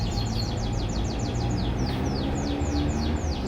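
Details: Morning song of a farm-kept canary: a run of crisp downward-sweeping whistled notes, quick at first and then slowing to about three per second, with constant low-pitched hum underneath.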